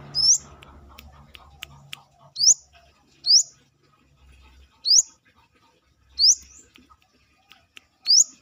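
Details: Out of the cage, a brown-throated sunbird (manggar) gives a run of shrill upslurred notes, roughly one a second, after some initial clicks and rustling; low hum intermittently underneath.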